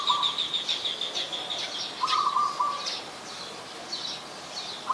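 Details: Adult chestnut-headed bee-eater in Ubon Ratchathani, Thailand, on 13 February 2021, recorded with a Nikon P1000: a rolling, high trilled call for over a second, then scattered chirps. A lower, steady buzzy trill from another bird cuts in twice.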